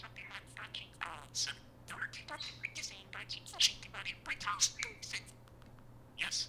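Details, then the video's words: Mimicked speech from a pet parakeet indoors: a dense, fast stream of buzzy, warbling syllables with squeaky peaks. Its words include "Hey Siri, tell me about parakeets," which sets off Siri on an iPhone. "Parakeet activates Siri on iPhone - prolific talking parakeet!"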